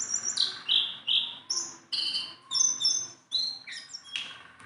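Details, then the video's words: Sunda bulbul, tame and able to perch on the hand, delivering loud, evenly spaced bursts of clear whistled and down-slurred notes, roughly two phrases each second. "BURUNG JONGKANGAN GACOR TELER JINAK PETETAN"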